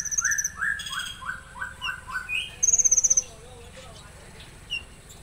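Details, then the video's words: Konin in rough-shot song style opens with a rapid series of rising slurred notes, then gives a high buzzy rattle, followed by a low wavering warble and a few faint chirps. "Tembakan Kasar Konin"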